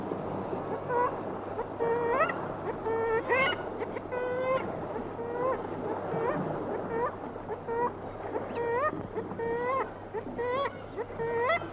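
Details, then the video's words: Close-up of a single black-legged kittiwake giving various loud, nasal, rising calls with strong harmonics, about one every second, while other kittiwakes answer at mid distance over a low hum. "Kittiwake. Single Bird Giving Various Calls CU, With Others Answering"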